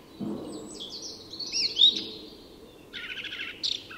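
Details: Song thrush singing at dawn in Tyresta National Park, Sweden: a bright, high whistled phrase with a rising buzzy flourish, a short pause, then a rapid rattling phrase with a sharp final note.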